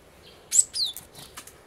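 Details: Great tit, possibly one at a bird table, on 28 February 2013, giving two thin, very high, quickly falling call notes, then a few fainter short notes, against a quiet background.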